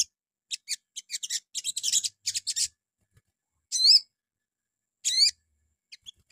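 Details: Morning lure from a little spiderhunter (sogon) to get other birds singing: scattered high chips quickening into a short rattle, then two separate loud, wavering slurred notes about a second apart.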